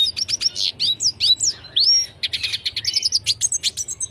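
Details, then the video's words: A Red Siskin sings a long, fast, busy twittering song of high chirps, rising slurred whistles and buzzy trills, almost without pause. "BURUNG RED SISKIN GACOR DURASI PANJANG"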